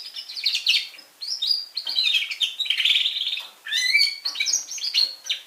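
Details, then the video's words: Young red factor canary singing steadily: loud, continuous high trills and rolling warbled phrases, with fast repeated notes and a few downward-sweeping whistles, in clear, close sound. "Red Factor Canary Finch Younge Singing Bird"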